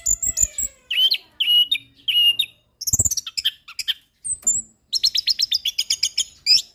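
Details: Orange-headed thrush tutor recording for songbird training: high thin whistles, three loud warbled phrases in a row, a rapid trill, a high slurred whistle, then a long fast chatter of repeated notes.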